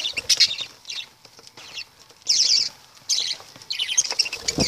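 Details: Lovebirds giving harsh, shrill, high chattering calls in short noisy bursts of about half a second, separated by brief quiet gaps, with faint rustling between calls.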